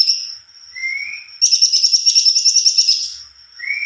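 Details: Cucak kombo singing continuously in a long rolling song. A high, steady whistled tone is broken by a short rising lower whistle, then a fast rhythmic burst of bright chattering notes, and ends with another rising whistle.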